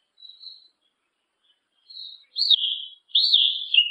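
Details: Black yellow-legged thrush calling: two soft, short whistled notes, then two loud slurred whistles that swoop up and glide downward.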